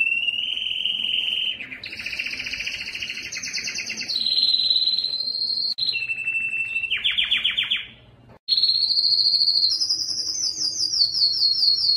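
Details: Belgian canary song of sustained rapid trills changing pitch from phrase to phrase, including rattling lower runs and high sweet tours, with two brief silent breaks.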